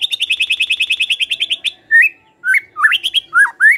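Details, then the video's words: Song of a white-rumped shama, played as a lure so that other shamas start to sing: a fast, even burst of sharp repeated notes, then separate looping whistled phrases after a short pause. "Mendengar Pancingan Ini, Murai Pasti Langsung ON❗ PANCINGAN BIAR BUNYI❗"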